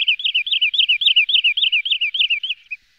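A wood sandpiper gives a quick run of about a dozen high, bouncing whistled notes, roughly four each second, fading at the end; nothing else is heard.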